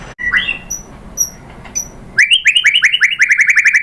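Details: Song of a white-rumped shama meant to provoke other shamas: a few soft scattered notes, then a rapid, even run of rising whistled notes, about four per second, steady in pitch.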